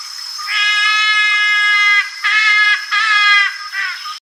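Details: Trumpeter Hornbill, a bird of central and southern Africa, giving a nasal, drawn-out wail like a crying baby: one long note, then three shorter wavering cries, over a thin steady high whine.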